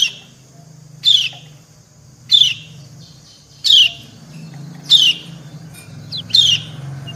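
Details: Female white-eye calling to a male as they answer each other: single harsh, downward high chirps repeated about every 1.3 seconds over a low background hum.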